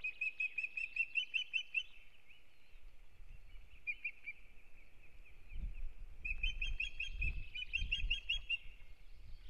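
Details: Osprey pair at the nest in Kurzeme, Latvia, at the start of the breeding season, 9 April 2022: rapid runs of short, piping whistled chirps in two bursts separated by a quieter gap, over low rumbling background noise.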